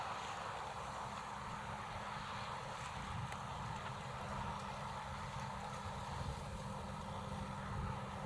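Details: Continuous motor hum and wind buffeting outdoors, with occasional faint clicks but no animal voice.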